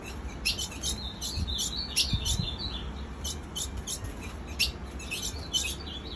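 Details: Female ultramarine grosbeak calling on and on, high short chips with some slurred twittered notes, about two per second, low hum and a few soft knocks behind.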